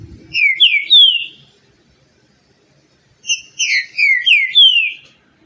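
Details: Green-winged saltator song: two separate phrases of clear, rather hoarse whistled notes falling in pitch, the second phrase longer with several descending slurs, separated by about two seconds of silence.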